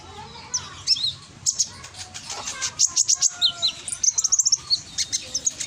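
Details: Scarlet-headed flowerpecker singing as a lure in Gresik, East Java: short bright high-pitched chirps building into quick rattling series of ticks, with faint lower whistled lines in the background.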